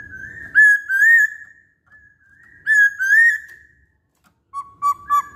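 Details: Chinese hwamei in full song: two loud slurred whistled phrases, each swelling and wavering before fading, then a short burst of three quick clear notes after a pause; otherwise quiet.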